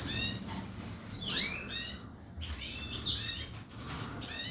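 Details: Canary singing in short bursts of high, bright chirps and quick sweeping trills, with brief pauses between phrases, over a steady low background hum.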